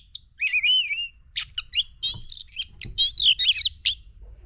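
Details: Oriental magpie-robin, excited and agitated, opening with a wavering whistled phrase, then quick high chirps, buzzy notes and rapid warbled trills.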